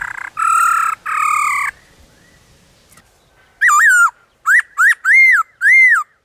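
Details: Black-throated laughingthrush in the wild, its many-voiced song opening with two harsh, nasal buzzy calls, then after a pause a run of bright arched whistles and quick upslurred notes.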